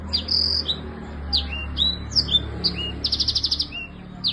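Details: Song of a lively black-throated canary, played to help silent birds resume singing; short whistled and slurred notes scattered at first, then a rapid burst of about eight chips near the end, over a steady low background hum.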